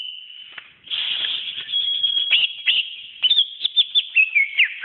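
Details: Song of a greater green leafbird: a long sustained high whistle gives way to a rapid string of sharp, clipped chirps and slurred notes, quickening toward the end, with no background sounds.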